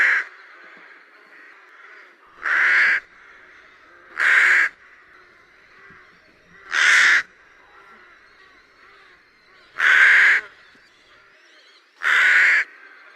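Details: Rook giving single harsh, hoarse caws, each about half a second long, spaced roughly every two to three seconds, six in all, over a steady low hiss of background noise.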